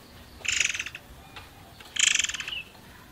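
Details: Forktail (murai air) lure recording, meant to prompt other birds to sing: two harsh, buzzy, rapidly pulsed high bursts about half a second each, one and a half seconds apart, over a quiet background.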